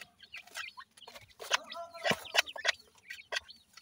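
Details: Grey francolin chicks giving quick bursts of sharp, high chirps and peeps about three per second, with overlapping clucky notes and loud broadband knocks in between.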